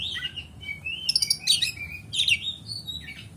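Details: Oriental magpie-robin, known locally as kacer, singing in a fighting style: varied whistled and chattering phrases with sharp upward sweeps and buzzy bursts, quickly alternating, over low background hum.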